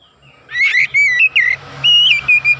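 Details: Oriental magpie-robin (kacer) in full vigorous 'gacor' song, used as a lure to rouse other kacer. Loud clear whistled notes, some sliding up and down, in quick bursts after a quiet start, with a faint low hum underneath.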